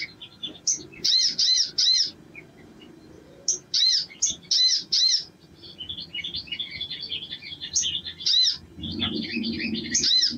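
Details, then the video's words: Spiderhunter singing actively, recorded as a lure to prompt other birds to display. Bursts of sharp, arched chirps repeat in quick runs, broken by softer twittering passages, over a steady low hum. "SOGON GACOR PANCINGAN NGLEPER"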